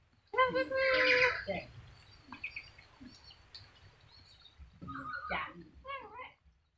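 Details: A talking sulphur-crested cockatoo opens with a loud, harsh, raspy screech, then a quiet pause with faint clicks, then several wavering, speech-like syllables at the end.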